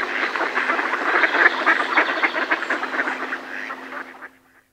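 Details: Mallards in a decoy give alarm calls close by, a rapid run of overlapping quacks that gradually thins and fades out into silence at the end.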